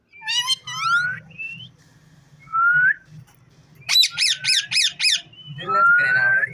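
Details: Indoor ringneck parrot giving a quick set of stacked rising notes, short whistled slurs, then a rapid series of five harsh squawks and a long buzzy whistle, with a low hum throughout.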